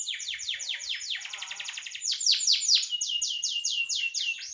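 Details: Canary singing, a recording meant for tutoring other songbirds: fast series of high downward-sweeping notes, a short low churring roll midway, then bright repeated slurred phrases.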